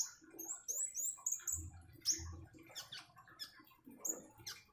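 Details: Common iora (konin) gives a string of clear, high downslurred whistles, then pauses before sparser chirps. Faint thumps and water trickle can be heard.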